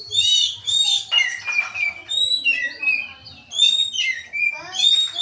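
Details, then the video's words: Oriental magpie-robin in full song with its tail spread, mimicking a grey-cheeked bulbul. Rich, varied high phrases of whistles, rapid chattering trills and sliding notes follow one another almost without pause. A faint low rumble sits underneath. "Koci gacor buka ekor isian cucak jenggot"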